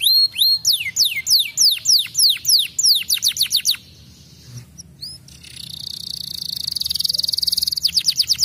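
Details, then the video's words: Canary singing, offered as a lure track to bring young canaries into song and rolls: rhythmic downward-sweeping whistles, a short pause, then a buzzy high rattle ending in quick slurred notes. "SUARA KENARI LAGU ENAK AMPUH jadikan KENARI MUDA cepat BUNYI DAN NGEROLL"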